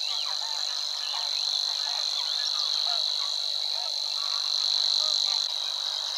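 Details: Monotone insect-like reeling from a singing Savi's Warbler at Wetering West, Overijssel, in May 2022 marshland, sustained without a break, with soft scattered notes of other birds in the background.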